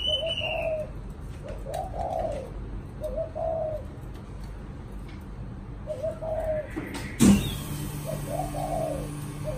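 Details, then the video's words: Caged spotted dove kept as a cage bird in Vietnam, with a "chạm đồng" coo style, giving low hollow coo phrases in repeated two- and three-note groups, with a sharp knock near the end over a steady low hum. "Cu thổ chạm đồng"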